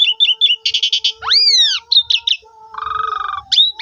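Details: Asian pied starling song used to coax silent starlings into singing: short chirpy whistles, a rasping buzz, a long arching whistled slur, then a lower droning buzzy note and a final bright whistle.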